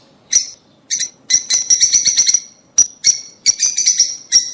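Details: Lovebirds, rosy-faced and Fischer's, giving calls intended to stimulate mating: scattered shrill chirps build into a dense cluster of overlapping notes, then resume as spaced, piercing single calls.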